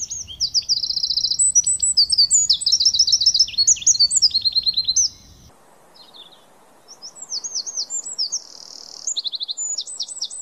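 Wren song: loud, rapid high trills and sharp chattering notes in fast bursts, with a low rumbling background in the first half.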